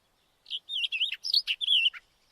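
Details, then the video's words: A White-tailed wheatear gives a quick, varied phrase of about 1.5 seconds, with wavering whistles, scratchy chatter and a final dropping note, against a quiet background. "Голоса птиц: белохвостая каменка"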